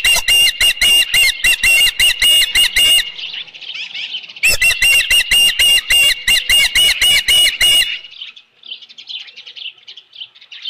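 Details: At its ranch nest on a July 2018 evening, with a headless fish just delivered, an osprey gives long runs of piercing, rapid chirps. Two bursts are split by a brief softer interval, and quieter twittering follows.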